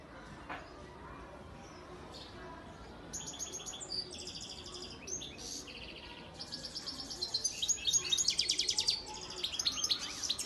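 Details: European goldfinch breeding male from Antalya, Turkey, recorded 2018; after quiet background, high tinkling twitter phrases begin around three seconds and build into loud, dense chattering runs toward the end.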